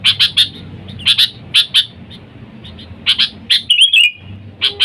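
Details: Vocal sooty-headed bulbul calling out to wild birds, used as a lure for bulbuls. Clusters of sharp chirps in pairs and triplets, then a brief fluty slurred phrase near the end, over a soft low rumble.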